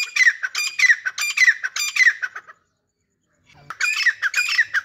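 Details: Grey francolin pair, called Dhakni teetar: loud, harsh, ringing phrases repeated about twice a second, four in a burst, a pause, then three more.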